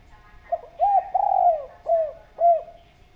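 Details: Spotted dove cooing for use as a lure, with a soft introductory note, a short coo, a long wavering coo, then two separated short coos, fairly clean and loud.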